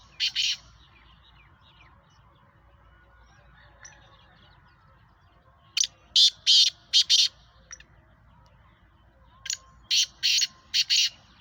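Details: Black francolin of the Sheedi (black) strain, a captive bird offered for sale: two bursts of harsh, grating, clipped notes in quick rhythmic series of four to five, separated by a pause, over low steady background hum.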